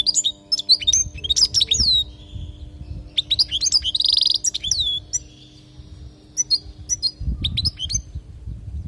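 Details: European goldfinch in Palestine giving a teaching-style 'language' song for training young birds: rapid tinkling twitters, sharp rising and falling chirps and a short buzzy trill in dense bursts, then sparser notes, with constant low hum behind.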